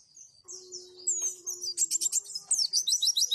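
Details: Pleci, or white-eye, song of the roll tembak and wituwit kind, used to teach other birds. Soft high notes build into a rapid, regular rattle of sharp high chirps, over a steady low hum.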